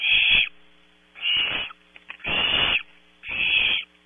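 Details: Barn owlets in a nestbox camera at Audubon Starr Ranch, California, competing at night for prey delivered around 0300; four harsh, hissing screeches about half a second long, each a broad rasping band, with a steady electrical hum beneath.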